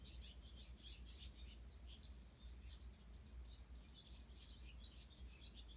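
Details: Sparrows calling in the early morning on 18 June 2018: a busy stream of short, high, bright chirps repeated several times a second over a steady low rumble of background noise.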